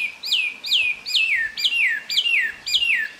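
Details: Taiwan hwamei in Jianshi Township, Hsinchu, Taiwan, April 2024, giving clear whistled notes that jump up and slur steeply downward, repeated six times at roughly half-second intervals.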